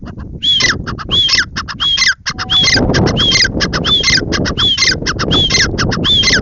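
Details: Grey francolin (teetar) calling loudly and repeatedly; harsh, squawky phrases, each with a ringing rising-falling whistle, run in rapid bursts about every half second with little pause, over a low rural background rumble.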